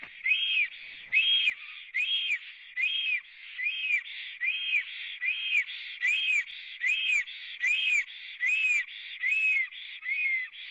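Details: Three black storks at a nest in Latvia, live camera recording from 24 April 2017 at 11:55; evenly repeated whistled notes, each an arching rise and fall, more than a dozen in ten seconds.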